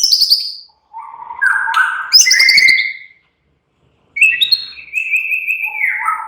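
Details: White-rumped shama giving a relaxed song to get other shamas chattering: a high descending buzzy trill, lower whistled notes, silence, then a long level whistle falling away at the end.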